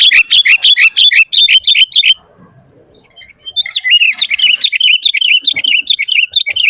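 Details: Sooty-headed bulbul pouring out lively varied song used as a lure: two seconds of rapid bright chirps, a short quiet pause, then a steady run of fast, bubbling warbled notes.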